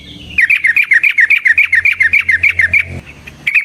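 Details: Yellow-vented bulbul delivering a rapid chattering series, used as a lure so other bulbuls sing: about eighteen bright bubbly notes at an even quick pace, then a brief pause and one more note, with a soft low hum behind.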